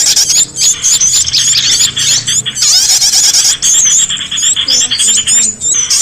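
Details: Small birds used as a lure sound to draw escaped pet birds back: a dense, unbroken mass of high, thin chirps and twittering trills, with quick rising and falling whistled notes overlapping throughout.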